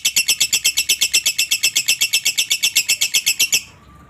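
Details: Lovebird performing a long ngekek, used as a master recording for training other lovebirds: a fast, steady, high chattering rattle of about four harsh notes per second, sustained for three and a half seconds before stopping abruptly.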